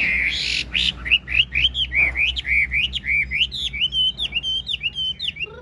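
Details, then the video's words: A captive, large-bodied Chinese hwamei sings while nodding and dancing, giving a rapid, loud run of rich whistled and slurred notes, about four per second, varied and bouncing in pitch. "Họa mi ngũ trường bộ to hót gật gù múa lân"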